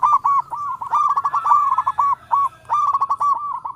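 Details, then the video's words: Zebra dove, a local perkutut, calling in all directions with an almost continuous stream of rolling, bouncing coos. A brief gap comes before a final run of quick, throaty notes. "Perkutut Lokal gacor suara merdu memanggil Keseluruh Arah"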